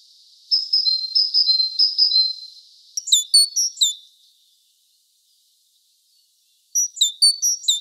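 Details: A tit visiting a fisherman calls with a series of high, thin repeated two-note phrases, then sharper quick chirps in small bursts, falls silent for a few seconds and resumes with another rapid set of chirps.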